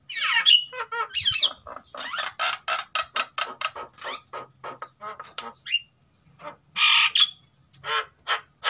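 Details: Captive-bred male and female white-necked mynas from Sulawesi, both in breeding condition, sing vigorously as a lure sound: an irregular run of loud harsh squawky bursts with a few short whistled notes and gaps of silence.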